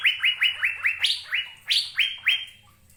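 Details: Asian fairy-bluebird of Indonesia whistling about eleven rapid upward-sweeping notes, a few louder and higher, fading out toward the end.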